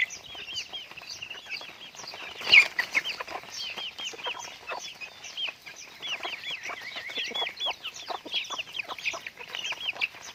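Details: Raised pet chickens producing a steady stream of high, looping peeps, many overlapping callers, with one sharp louder note early on.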